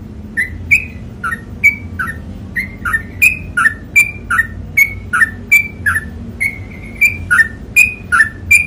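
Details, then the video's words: Trucukan (sooty-headed bulbul) ropel panjang song: brisk repeated whistles alternating high and lower notes, about two and a half per second across almost nine seconds, some notes drawn out, over a quiet indoor hum. "MASTERING TRUCUKAN ROPEL PANJANG"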